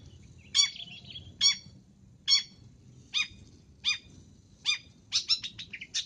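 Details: Long-tailed shrike calls for luring: nasal, harsh notes repeated about every three-quarters of a second, ending in a quicker burst of mixed chattering notes, with a low hum underneath.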